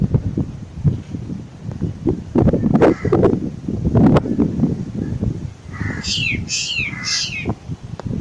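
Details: Black drongo calling: after several seconds of low rumble and thumps, three loud, harsh, downward-sweeping notes follow in quick succession, each starting high and dropping sharply.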